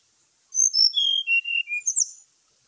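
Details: Brown-chested jungle flycatcher giving a morning fighting song to provoke other birds: a bright whistled phrase stepping down in sliding notes, then a rising, sharp flourish at the end, over a faint high hiss.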